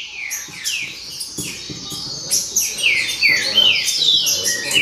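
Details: Green-winged saltator singing in the baderna style: a fast, busy run of loud slurred whistles, each sliding downward, packed closely at about two or three per second, with faint low murmuring underneath.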